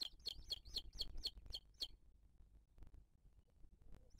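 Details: Booted eagle nest in 2023, recorded by a live camera as the female feeds a chick. About seven sharp, clear whistled notes come in quick succession, then stop, leaving near silence with faint clicks.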